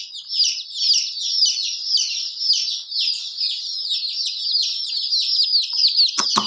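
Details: Chicken chicks peeping together in a dense, continuous chorus of high, downward-sweeping chirps, several per second and overlapping, with a couple of sharp clicks near the end.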